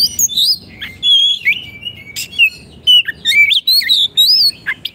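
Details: Caged Oriental magpie-robin performing song for masters used to train non-singing caged birds: continuous warbled whistles, steep rising slurs and scratchy rasps in quick succession, faint low background noise.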